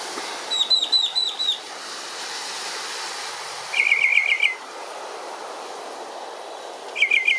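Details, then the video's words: Morning mockingbird song: a rapid string of five high, slurred whistled notes, a pause over a steady hiss, then a lower, fast, buzzy rattling phrase, and another brief chattering burst at the end. "Morning Sounds - YanTen Mockingbird"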